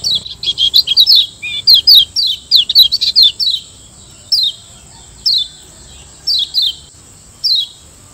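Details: Caged-bird training recording of the Lombok white-eye: dense, bright chattering notes for the first four seconds, then single high falling chirps at intervals of about a second. A high steady tone is present.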